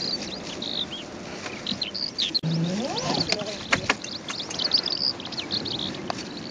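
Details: Calandra lark song recorded on the Golan Heights, Israel, 11 April 2011: a stream of high chirping, warbled notes, briefly overlaid midway by a lower rising and falling sound and a few sharp clicks.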